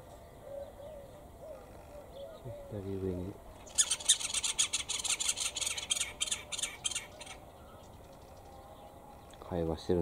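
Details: Noisy-voiced wild bird recorded in Jericho, Palestine: a burst of harsh, rasping, rapidly repeated notes lasting about four seconds, bracketed by shorter nasal, squealing calls with rich overtones near the start and end.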